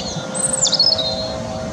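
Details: European robin (Erithacus rubecula) song at Teddington Lock, UK, filmed handheld with a Nikon P900 on a windy day: a brief, piercing high phrase with a quick downward swoop into twittering notes, set against wind noise and a low hum.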